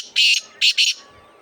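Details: Black francolin in Sindh, Pakistan giving a loud, grating call: one long harsh rasp, a brief pause, then two quick rasping notes close together, over a quiet background.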